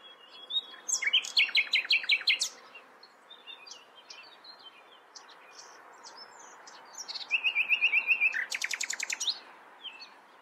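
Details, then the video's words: Nightingale song in two phrases: a fast series of sharp, ringing repeated notes, a pause filled with scattered soft chirps, then a rising buzzy trill leading into another rapid stuttering volley. "Nightingale sings. Nachtigall singt."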